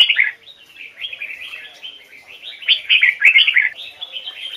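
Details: Red-whiskered bulbul in a training recording, singing a standard double-note song of the Hoài Sơn forest style: a bright opening phrase, then continuous warbled chirping that swells into a louder run of fluted notes near the end.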